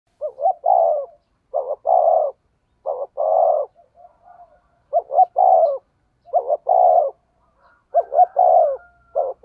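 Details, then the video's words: Decoy spotted dove with a 'thổ' voice giving 'thúc gù' cooing: repeated phrases of two or three quick low notes, each followed by a longer rolling coo, about every one and a half to two seconds. "cu gáy giọng thổ THÚC GÙ bài bản"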